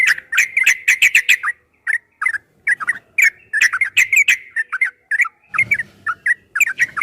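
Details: Yellow-vented bulbul in long 'ropel' style song for training cage birds: quick clusters of bright, bubbling notes in rapid bursts separated by short pauses, with a faint low rustle near five and a half seconds.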